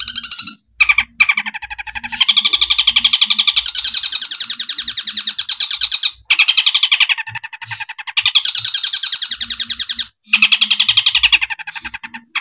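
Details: Training song of a long-tailed shrike (cendet), 'tembakan' style with 'gereja' and 'kuntilanak' elements: sustained rapid scratchy chatter, about three to four pulses a second, in long runs separated by short silences.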